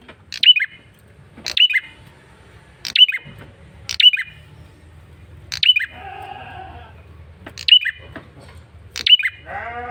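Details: Male bar-winged prinia, a persistent lure call: loud, abrupt chirps with a falling flick, repeated at fairly even intervals of just over a second, with a soft nasal wavering sound in one pause.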